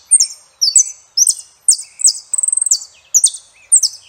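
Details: High, clear chirping notes from a Saffron finch, repeated about twice a second in short slurred phrases, with one rapid stuttering trill partway through.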